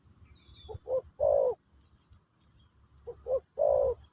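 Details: Spotted dove, called terkukur, in pesom/kacuk style for teaching a new bird: two phrases of two short coos followed by a long falling hum, separated by a quiet gap.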